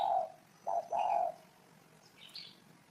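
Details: Spotted dove uttering a mellow, low coo sequence: a drawn-out note, a short clipped one, then a longer throaty coo. A faint high chirp follows.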